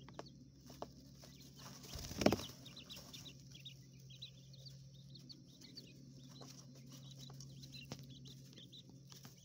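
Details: Coturnix quail chicks kept in an urban hotel room enclosure give bright, high peeps in loose groups, with one loud bump near the start, and a low hum beneath.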